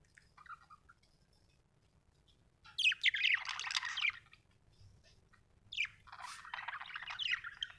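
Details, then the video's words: Budgerigar giving two loud bursts of raspy, warbling chatter separated by a quieter gap, over a steady low background hum. "Australian beautiful birds sound 😍 budgie chirping sound 🥰"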